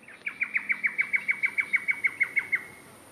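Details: Close Lewin's honeyeater in Ross Road Parklands, Brisbane, Australia, on 3 March 2024: a loud, even series of about sixteen sharp, clipped notes, roughly five per second, holding one pitch and then stopping, with a clean, quiet background.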